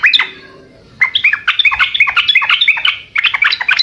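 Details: Energetic gacor singing by a Sooty-headed bulbul, to make other birds respond: a sharp opening note, a pause, then busy chattering twitters with a brief break before more quick notes.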